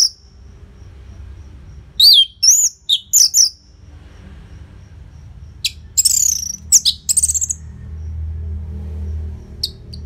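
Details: Orange-headed thrush song, recorded in Bali for prompting caged birds: a few bright whistled phrases and rapid chips, then a fuzzy scratchy flourish, with quieter stretches between.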